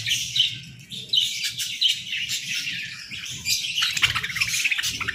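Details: A flock of budgerigars chirping in the morning: overlapping bright tweets and rasping chatter, with several sharp clear chirps standing out, growing livelier toward the end amid light rustling and fluttering.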